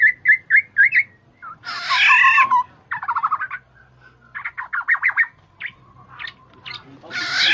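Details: Black-naped oriole, known locally as kepodang emas or kepodang jawa, with a call used as a lure for trapping: short whistled notes repeated rapidly, then harsh nasal squawks and buzzy chattering bursts, separated by brief pauses.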